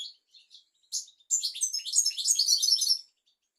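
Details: European goldfinch song used to teach young goldfinches and canaries: a few chirps, then a fast, dense run of high twittering and tinkling notes lasting about two seconds.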